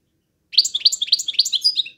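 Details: European goldfinch giving its 'drunk' style of singing: a quick, bright twittering run of sharp, high chirps and short trills at about four notes a second, starting after half a second of silence.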